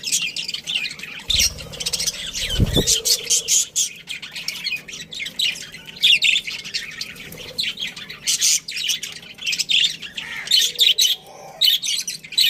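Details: Colony of pet budgerigars, a breeding pair among them, squawks and twitters in dense, choppy bursts with overlapping voices, plus a dull thump early on.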